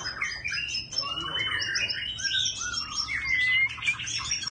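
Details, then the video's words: White-rumped shama kept as a cage bird, singing in a style of continuously switching voices: a dense, unbroken stream of varied clear whistles, slurred rising notes and quick trills. The phrases change rapidly and overlap with no pause. "Choè Lửa Hót Hay Giọng Thiên Nhiên Quá Đẳng Cấp - Hót Đảo Giọng Cực Hay"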